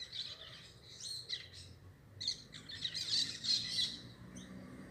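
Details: Parakeet calls in irregular squeaky, grating bursts, with sparse chirps early on and a dense chattering spell from about three to four seconds. Faint low background noise.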